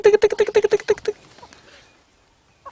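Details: Crested Barbet calling during a sunrise safari drive on 5 August 2016, near a fruiting jackalberry tree alive with birds: a quick, low, rattling run of pulsed notes, about eight a second, for roughly a second before fading away.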